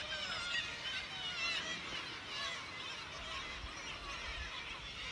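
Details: A dense, unbroken din of many kittiwakes calling at once on the sea cliffs at St Abbs Nature Reserve: nasal, wavering, mid-to-high cries overlapping constantly over a low rumble of surf or wind.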